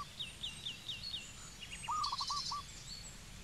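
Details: A single short phrase from a zebra dove in Cambodia: a few rapid, soft staccato coos. Thin whistles and chatter of other birds run throughout.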